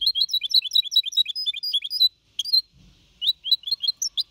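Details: Goldfinch hybrid, four and a half months old, singing clean in the Malaga copy style. Lively twittering notes, a short gap with faint rustling, then scattered chirps resume.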